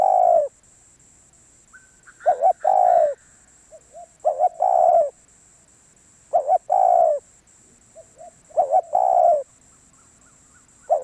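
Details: Spotted dove calling in a steady series: four cooing phrases, each a quick double note and a long rich coo. Soft low coos fill the pauses, and a thin high whine persists in the background.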